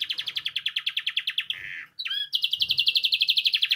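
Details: A Spanish timbrado canary sings for training young birds: a steady, rapid pulsed trill, broken by a brief harsh buzz and a quick sweeping note, then the even trill resumes.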